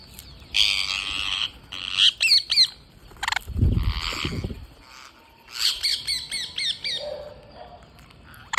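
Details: Green parrots calling while feeding: bursts of harsh squawks and rapid series of sharp, downslurred chirps, with a low thump in between and some quieter outdoor background.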